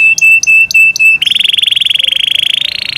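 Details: Yorkshire canary, a bird in someone's care, gives four clear steady whistled notes, then a long rapid rolling trill that climbs slightly in pitch.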